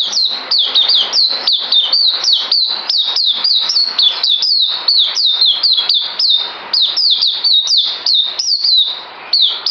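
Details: Songbird in captivity, due for deworming, recorded on 9 December 2018: an unbroken stream of piercing high chirps, each falling sharply in pitch, delivered rapidly and evenly, with only a brief dip near the end.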